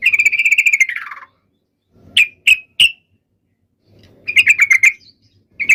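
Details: Yellow-vented bulbul fighting song used to lure other bulbuls into answering: a harsh rapid rattle trailing downward, three separate sharp notes, then another short chattering burst.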